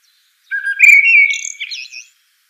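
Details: Single blackbird phrase: a low fluted whistle rising into a rich warble, then trailing off in thin, high, squeaky twitters; otherwise silent.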